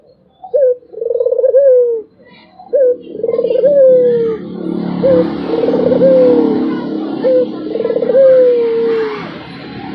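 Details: A Barbary dove gives four rolling coos, each a quick introductory note and then a long pulsing, descending coo. A steady broadband hiss and rumble rises behind the bird partway through.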